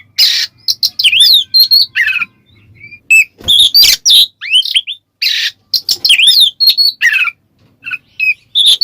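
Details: Oriental magpie-robin song in the ngeplong style, played as a lure to provoke other magpie-robins: loud bursts of rich whistles, sharp upslurred and downslurred notes and harsh rasps, broken by short pauses, over a faint low hum.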